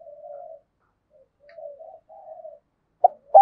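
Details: Decoy spotted dove kept to coo in duels and lure wild doves, in the 'thổ' voice style. Low, soft coos in repeated phrases: a long note, a broken two-part coo, another long note, then two sharp knocks.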